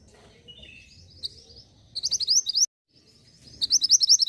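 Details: Caged mountain mantenan in Indonesia with soft twittering, then two rapid runs of high, sharp, repeated chirps; the recording is used to get caged birds singing.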